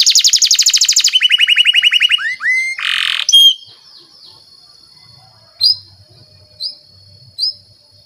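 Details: Canary singing as a tutoring lure for young canaries; a fast pulsing trill and lower rolling series, a buzzy burst, then a few isolated short high chirps spaced about a second apart.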